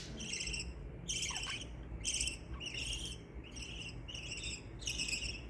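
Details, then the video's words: Pet budgerigars chirping happily, a steady run of buzzy, rasping chirps about once a second, each with a slight downward trailing tail, over a constant low background hum. "Budgie sounds to make your budgies happy"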